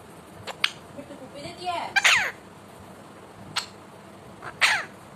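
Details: A pet Indian ringneck parakeet talks with short clicks, a rising soft note leading into a loud harsh syllable, then a sharp click and a final rasping, word-like burst.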